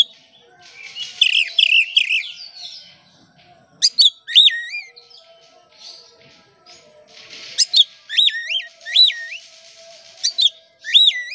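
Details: Oriental magpie-robin lure song, bright looping whistled phrases with sharp upward flicks, repeated in bursts separated by quiet pauses, over a faint steady tone.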